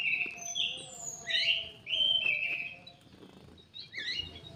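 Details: Kidangan kaso kaso bird kept in an aviary for breeding and conservation, singing a run of loud, slurred whistled phrases that rise and fall, with a quieter broken phrase after a pause and a low steady hum beneath.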